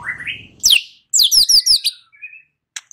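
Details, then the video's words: Lure recording of white-rumped shama song to provoke an answer: a rising whistle, then a string of sharp, steeply descending high notes in quick succession. "Pancingan Murai batu 85% Jitu jadikan Murai batu NYAUT NGEPLONG"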